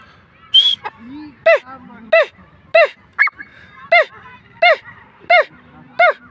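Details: Francolin (teetar) calling: a series of about eight loud, ringing, harmonic notes, each short and slightly rising then falling, repeated roughly every 0.7 seconds, with a faint low murmur in the background.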